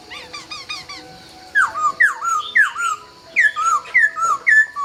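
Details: Laughingthrush greeting the dawn in Vietnam: soft, quickly repeated chirps, then strong downward-slurred whistles, about two per second, ringing and clear.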